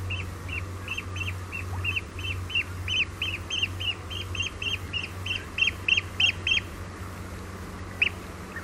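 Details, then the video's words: Eurasian oystercatcher alarm calls on Walney Island: a rapid series of sharp, piping notes, about three per second, repeated steadily for some seconds before stopping, with a single later note, over lapping water and a hissy low hum. "Oystercatcher. Alarm Calls."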